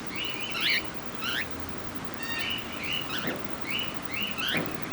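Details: Cockatiels recorded at Campbelltown Forest of Wild Birds in Saitama on 31 March 2018, giving a busy mix of short whistled chirps and sharp rising notes, with several birds overlapping and faint background noise.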